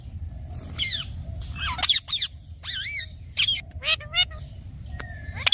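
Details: Green talking parrot letting out grating squawks with wavy, swooping inflections in uneven groups, plus a few shorter clicks and faint notes between calls.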